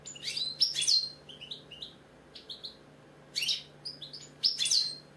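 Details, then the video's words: A British goldfinch sings a lively run of high, liquid twitters and chirps. Rapid clustered phrases alternate with softer, lower warbled notes, and a faint low hum sits beneath. "British Goldfinch singing, Chardonneret , Cardellino, Jilguero, bird song"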